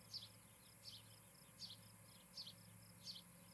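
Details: Nesting ospreys in Charlo, Montana, heard through a nest camera on the evening of 17 July 2018: five quick high chirps, spaced roughly 0.7 seconds apart, over a droning high background pulse.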